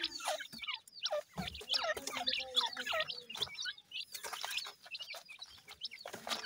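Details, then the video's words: A brood of seven-day-old grey francolin chicks hatched by a hen twitters while feeding, with bright high peeps tumbling over one another almost without pause. "Voice of Gray Francolin Pheasant bird Chicks"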